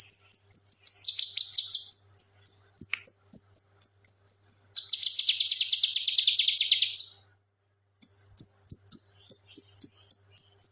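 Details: Male cucak kinoi leafbird singing vigorously as a tutor for other caged birds: high rapid whistled pips interrupted by two long buzzy rattling trills, a short pause, then more thin piping notes.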